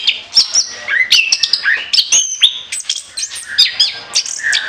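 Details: Orange-headed thrush singing for use as a lure, a fast, loud medley of sharp whistles, downslurred notes and clipped chirps poured out without break.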